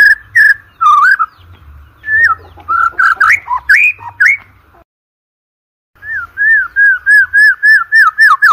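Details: White-rumped shama (murai batu) song, used as a lure to prompt competition birds: varied loud whistled phrases and quick slurred notes, a one-second silence, then a steady run of about nine short, evenly spaced whistles on one pitch.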